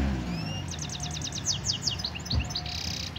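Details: Singing goldfinch mule from Algeria, 2018, delivering a quick run of repeated bright, liquid chirps that shift into scattered sharp high notes and a brief buzzy rasp, over faint low background noise.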